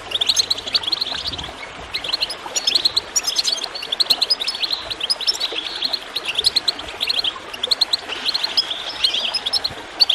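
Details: Goldfinch song in quick, tinkling, high chirps with brief lulls, in a recording meant to encourage birds to sing, over quiet running water.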